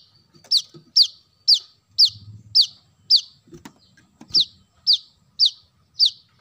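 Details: Lure call of a brown-throated sunbird: eleven sharp, high, falling chips repeated about twice a second, briefly interrupted by a soft thump and low murmur midway.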